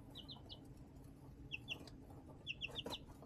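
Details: Baby chickens peeping in a brooder under a standard heat lamp, March 20, 2024: clusters of two to four shrill, falling peeps in quick succession against a soft background rumble.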